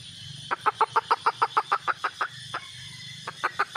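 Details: Red junglefowl hen calling for a mate: a fast series of short, even clucks, about three per second, running steadily for nearly two seconds, then a pause before a few more clucks, over a faint steady hiss.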